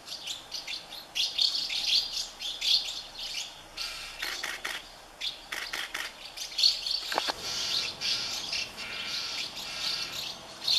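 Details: House martin chicks in a colony of thirty nests, hungry and being fed by their parents: dense high chirping and twittering in bursts, with short gaps and a brief lower sweep near the middle.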